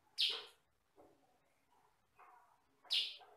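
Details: Sooty-headed bulbul of the yellow-and-black kutilang sutra type, used as a training recording for other birds, said to have one or two rather loud voice tones; two sharp, high, harsh chirps about 2.7 seconds apart, with faint lower notes between.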